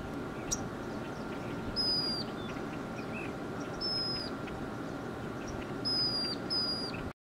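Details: A tyrannulet at Patagonia Lake State Park in June 2013 gives thin, very high whistled notes, each slurring slightly downward, roughly every two seconds over a steady low hum and background noise.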